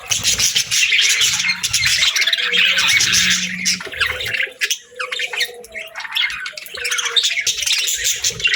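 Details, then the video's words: Budgerigars twitter in a loud high warble that thins after the midpoint into quicker separate chirps, with a faint low hum early on. "Budgie Chirps & Sounds"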